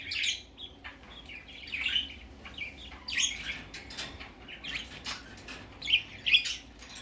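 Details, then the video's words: Budgerigar chick going out for the first time, making soft, scattered chirps and a few sharper squeaks among quiet rustling sounds. "Baby parakeet first time go out"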